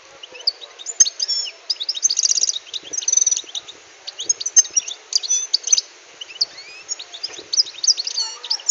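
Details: Wild-caught European goldfinch after six months in a cage: a lively, continuous high twittering song of rapid tinkling notes, buzzy trills and liquid chirps, with brief pauses between phrases.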